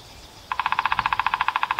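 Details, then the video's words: Downy woodpecker in spring in Vancouver gives a fast, even run of about twenty sharp, nasal notes, roughly fifteen a second, after a moment of quiet background hiss. "the sound of a downy woodpecker"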